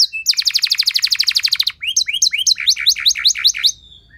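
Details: Canary 'nembak' song, long and loud, played to stimulate other canaries to sing: a rapid, even stream of ringing notes, then choppier paired chirps before it fades out.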